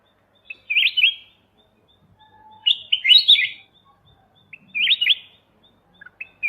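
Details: Bulbul known as kutilang emas mata putih, recorded as master song for training songbirds: clear, chattering whistled phrases of rapid up-and-down notes, four bursts separated by short silences in a quiet background.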